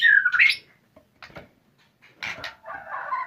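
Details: A white-rumped shama starting its "fighter" style of song. A rising whistled phrase is followed by harsh, buzzy, grating notes, with a few soft rustles in the gaps.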